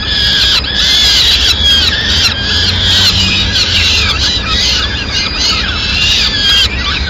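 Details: Mother peregrine falcon bringing food to chicks in Madrid, 29 April 2016: near-continuous chorus of piercing squeals with many arched, sliding notes, one brief pause early, over a constant low background rumble.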